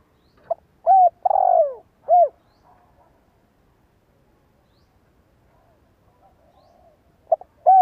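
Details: Decoy spotted dove with a good voice, calling so that other doves answer: one full phrase of short notes, a smooth coo, a rough falling roll and a final coo, then about four seconds of near silence before the phrase begins again.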